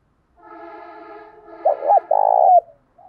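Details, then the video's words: Cooing of a spotted dove decoy calling wild doves, which answer and coo back in contest. A faint, reedy, level tone leads into a loud run of low, rolling coos: two short notes, then one long, vibrating note. "chim cu mồi thúc kèm gáy gọi bổi nghe rất thổn thức và gáy đấu theo"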